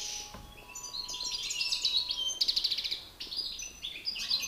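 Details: Two male European goldfinches dueling in song, a master bird facing an excited one; fast liquid twitters and buzzy rattling trills pour out continuously, growing louder through the middle, with a faint low hum behind.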